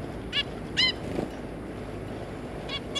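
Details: Zebra finch pair with their three juvenile young, recorded 3 July 2022: four short nasal, honking calls with stacked harmonics, spaced irregularly across three seconds over a low background hum.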